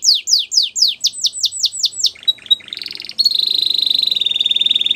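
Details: A Belgian canary sings about ten evenly spaced descending whistled notes, a few soft chips, then a long steady rapid trill held to the end.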